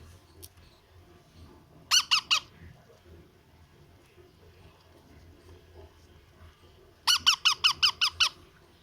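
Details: Baby parrot at feeding time giving rapid bursts of harsh, pulsed begging calls, a short series near two seconds and a longer run of about seven pulses near the end, with quiet low room hum between.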